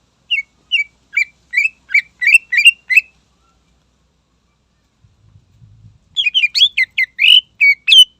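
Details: A greater green leafbird sings hard to provoke opposing birds. Steady rising chirps repeat about three per second, then after a quiet gap with a faint low rumble, a faster, richer volley of twisting whistles follows.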